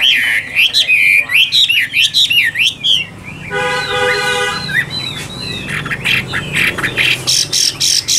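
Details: Chinese hwamei of the 'Tam Hoàng' type, kept in Vietnam, singing vigorously. Loud, rapidly modulated whistled phrases with swooping notes come in bursts. A harmonic crowing sound is heard midway, over background hum and some speech.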